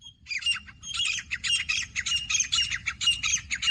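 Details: Two captive female grey francolins (gora teetar) of local desi stock, kept as calling birds for hunting, give rapid harsh squawking notes in a fast run of bursts with little pause. The setting is otherwise quiet.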